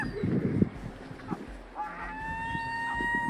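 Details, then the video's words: At water in Norway, September 9, a gull gives one long, steady, drawn-out mewing note near the end, after low clucking and muttering from feeding ducks and a brief human voice. "Strange Sound of a #seagull"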